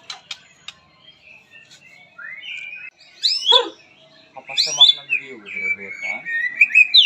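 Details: White-rumped shama song used to tutor other shamas, starting with sparse clicks and slurred whistles, then loud sharp shooting notes and quick chattering bursts building into a run of high whistled phrases.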